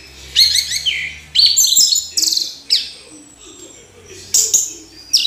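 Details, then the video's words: Orange-headed thrush singing in short loud bursts of high whistles and chattering notes separated by pauses, with a low hum in the background. "Anis Merah Kicau Sampai Teler"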